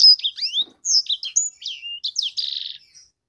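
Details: Short burst of song from a sanger bird: quick slurred whistles and chips tumbling one after another, ending in a dry buzzy rattle that fades out.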